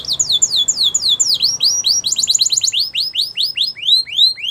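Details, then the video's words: Belgian canary singing for canary training: rapid repeated descending whistled notes high-pitched, shifting to a faster trilled series, then slower upslurred swoops repeated about twice a second. "Belgian Canary Song That Fascinates Everyone !! Canary Training"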